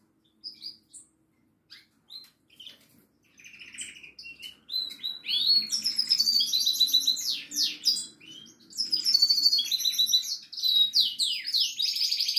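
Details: Goldfinch singing, opening with a few scattered high chirps before breaking into a long, dense run of fast twittering, buzzy trills and sweeping liquid notes that carries on to the end; a faint low murmur sits underneath.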